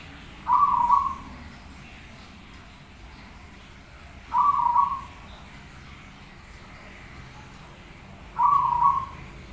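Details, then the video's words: Prolific-singing zebra dove, recorded as a master song for training: three brief rolling coo phrases, each under a second, repeated about every four seconds, with quiet steady background noise between them. "suara Perkutut Gacor masteran"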